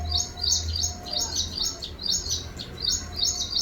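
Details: Small birds chirping: high, thin chirps repeated in quick rhythmic bursts about every half second, steady throughout, with a low rumble beneath.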